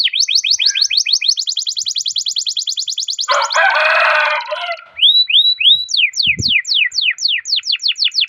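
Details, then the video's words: Long canary roll, used to encourage other canaries to sing: a rapid rattling trill, then a harsh buzzy burst, followed by separate rising-and-falling whistled slurs and renewed quick notes. "Masteran Suara Burung Kenari Ngerol Panjang cuit cuit untuk Pancingan Kenari"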